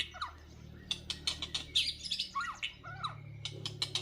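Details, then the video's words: White-rumped shama from Northwest Vietnam, recorded during trapping while birds fight each other: bursts of sharp chirps and short whistled notes, some rising and falling, scattered irregularly across four seconds, with faint low hum beneath. "bẫy chim chòe lửa Tây Bắc đấu nhau cực hấp dẫn"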